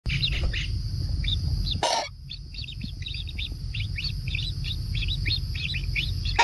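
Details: Kingfisher chicks in a natural nest being fed, giving short high chirps in loose bursts, broken by a loud thump near two seconds and a brief quiet gap, then resuming steadily over a low background rumble.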